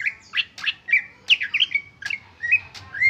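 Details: Greater green leafbird, original song with no fill-in: loud varied phrases mixing harsh downward sweeps with clear whistled slurs, delivered in quick bursts.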